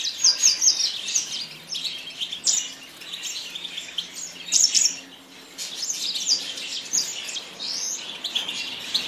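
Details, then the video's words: Song of the bird called yasmin: bursts of bright, very high chirps and sharp twitters come in quick clusters, broken by short pauses, with a few louder peaks along the way. "تغريد طائر ياسمين"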